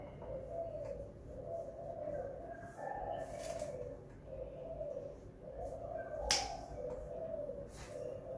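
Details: Spotted dove kept at home, a run of low mellow coos in rounded phrases, evenly repeated, with a single sharp click midway and faint background hiss.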